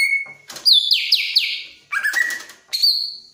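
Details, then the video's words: Greater green leafbird in breeding mood gives a steady whistle, then a buzzy trill of repeated downslurs, a lower rising note and a final high held whistle. "Suara Burung Cucak Ijo Lagi Sange"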